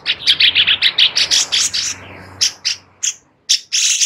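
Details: Sooty-headed bulbul song offered as training material for White-rumped shamas: a fast, even series of bright chirping notes, slowing into separate louder chips after a short gap.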